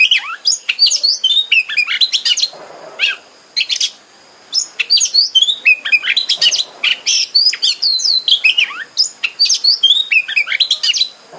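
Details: Continuous, varied song of an Oriental magpie-robin, used to provoke a caged bird into singing and opening its tail: dense bright whistled phrases, quick slurs and ticking notes with only brief pauses.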